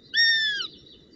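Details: Northern goshawk chick at the nest at brunch time, 25 June 2018: one clear, half-second whistled whine with rich overtones that drifts slightly downward, over a low background rumble.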